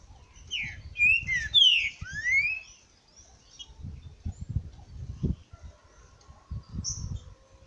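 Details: Trinca-ferro verdadeiro (green-winged saltator), recorded on 28 August: a burst of clear whistled, slurred notes sweeping up and down, delivered in a quick phrase lasting about two seconds, followed by low rumbling background noise and a faint whistle near the end.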